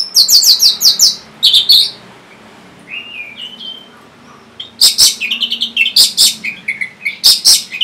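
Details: An orange-headed thrush song used to prompt silent or lazy birds to sing: rapid bursts of high, sharp chirps and trills, with a few softer whistled notes in the pause between phrases.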